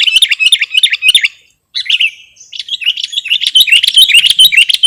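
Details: Sooty-headed bulbul, recorded as a lure and tutor sound: dense, rapid chirping that stops briefly near one and a half seconds, then resumes as continuous, bubbly, rising and falling notes.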